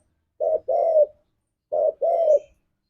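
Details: Spotted dove, a gacor 'ngalas'-style singer played as a lure for pet doves: two clean cooing phrases, each a short rounded coo and a longer level-then-falling coo.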